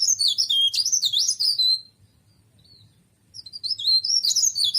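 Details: Mountain leaf warbler, kept as an ornamental bird, singing a rapid, high-pitched twittering warble with many sharp chirps, a strong burst, a pause of over a second, then another lively burst.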